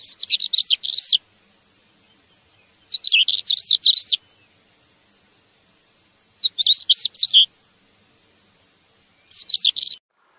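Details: Song of an African stonechat: four brief, jumbled, scratchy twittering phrases, each about a second, repeated roughly every three seconds against a silent background.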